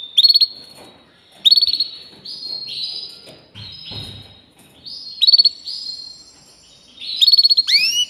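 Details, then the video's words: Canary song made of quick rattling bursts followed by steady rising and level whistled notes, repeated several times, ending in loud downward swoops. "Making Your Canary Sing with Joy"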